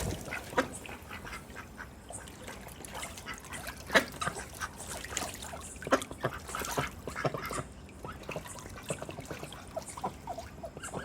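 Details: White Pekin ducks swimming and playing in a water tub give scattered nasal quacks and soft chattering calls, several overlapping, with splashing water throughout.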